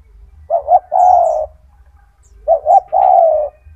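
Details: Strong-voiced tekukur, a spotted dove kept as a master for training young doves, delivers two matching phrases: a hurried pair of short coos then a sustained low falling coo, separated by about a second of quiet.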